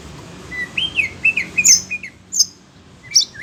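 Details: Caged Oriental magpie-robin, worked up by the voices of other birds, sings a chain of rising and falling whistled notes followed by sharp high chips and a final upward whistle.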